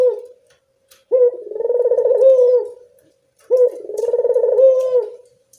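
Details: Barbary dove calling in the evening, used as a lure to get reluctant doves to call: a short clipped note followed by a long, rolling, purring coo, given twice about two and a half seconds apart in quiet surroundings.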